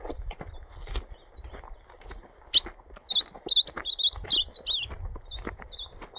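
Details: Ultramarine grosbeak on a Sunday morning, 14 December 2025, giving a rapid run of sweet, wavering high whistles that rise and fall for about two seconds, with fainter notes after and a sharp click just before.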